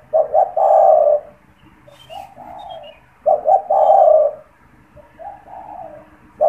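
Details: Spotted dove kept caged and used for luring wild doves: two loud double-noted coo phrases ending in long low hums, softer coos in the gaps, and a few faint high chirps from other birds.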